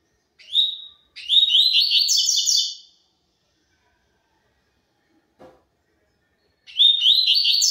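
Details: Double-collared seedeater in the tui tui zel zel song style: a brief whistled introductory note, then a fast two-second run of repeated high, ringing notes, a long pause with a small click, and the next phrase beginning.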